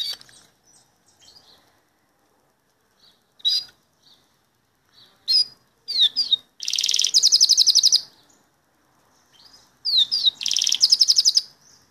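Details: A Belgian canary (Canario belga) sings bursts of rapid, bright trills and sharp rising chirps, two long rolling phrases about two seconds each, with scattered short notes between; bird from Sombrio, Santa Catarina.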